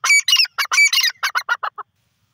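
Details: Grey francolin giving a loud, harsh, rapid series of about a dozen grating notes. The first notes are longest and strongest, and the later ones become shorter and fainter until they stop, leaving silence.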